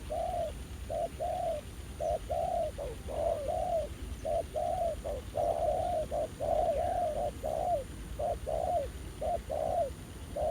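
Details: Decoy trapping of spotted doves, where a newly arrived wild male responds aggressively. An unbroken series of mellow low coos over ten seconds, short notes and longer downslurred ones overlapping as if from more than one bird.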